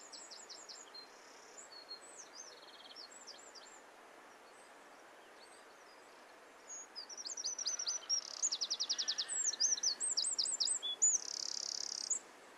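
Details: A wren singing against a steady hiss of background noise: faint high trills and twitters at first, then a loud, fast run of rapid repeated notes and buzzy trills ending in a sustained rattle.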